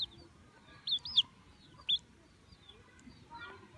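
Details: Baby chicks peeping: a few quick, high rising chirps clustered together, then one more after a pause, over soft background noise.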